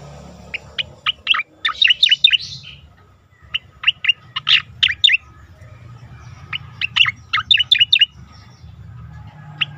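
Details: Training recording of an Asian pied starling for competition birds: repeated phrases of rapid, squeaky chirps and harsher squawk-like notes, separated by brief pauses, with a low hum in the background.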